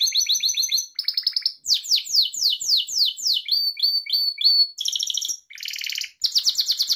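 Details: Gloster canary, a pet bird, singing a training song for other canaries: a fast run of varied high tours, with rolling trills, a series of downslurred whistles, repeated clipped notes and buzzy rattles. Phrases change every second or so, with no other sounds.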